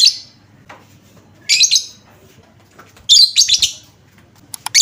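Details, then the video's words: Lovebird lure sound to make other lovebirds respond: uneven bursts of buzzy, high chatter and squeaky chirps, some doubled or tripled, with brief quiet gaps and a faint hum. "Apapun jenis Lovebird mu, pasti langsung nyaut seketika dengar suara pancingan ini"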